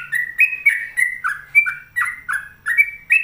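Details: Sooty-headed bulbul in full, persistent song: continuous quick whistled notes alternating high and low, about three per second, sweet and slightly slurred, over a faint low hum.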